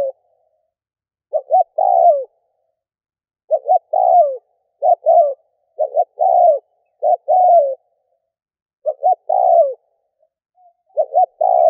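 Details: Spotted dove calling as a decoy to lure other doves: a steady series of about eight phrases, each a quick two-note stutter then a drawn, falling coo, roughly one phrase every one to two seconds.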